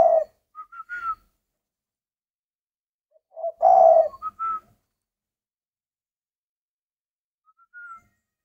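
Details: Spotted dove in captivity repeating its song: a low, throaty coo at the start and another around four seconds, each trailed by clipped higher whistled notes, then a faint whistle near the end.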